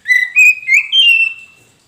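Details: Caged poci-type Oriental magpie-robin used as a prompting lure for a bird that has stopped singing. Four clear whistled notes step upward in pitch, each slurred, then trail into a fading sustained whistle.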